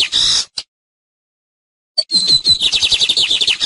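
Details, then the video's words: Tucero (lined seedeater) teaching song: a brief buzzy burst, a long silence, then a rapid series of sharp, high chirps that speed into a trill. "TUCERO: CANTO DE ENSEÑANZA"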